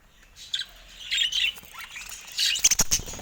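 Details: Budgerigars in their cage, mobbing a camera: faint start, a short phrase of raspy warbling, then a string of quick clicking taps and high chirps at the end.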